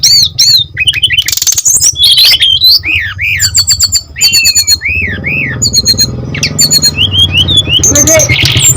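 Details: Brown-chested jungle flycatcher singing as a tutor recording for untrained birds: varied whistles, rising and falling slurred notes and quick repeated chirps over a low rumbling background noise in the second half.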